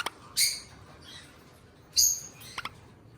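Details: Two pet eastern rosellas: two piercing, high, downward-sliding chirps about one and a half seconds apart, with a soft lower note between and a couple of quick clicks near the end.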